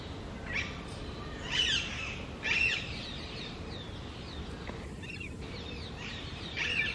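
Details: Harsh grating squawks from a female Alexandrine parakeet (pahari tota) sitting high in an almond tree, given as short bursts about once a second with brief gaps, against low background hum.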